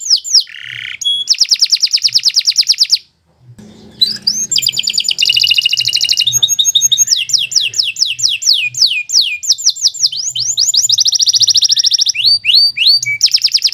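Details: Canary singing at length for training other songbirds: chains of fast trills alternate with slower downslurred whistles and buzzy phrases, broken by one short pause before the varied song resumes.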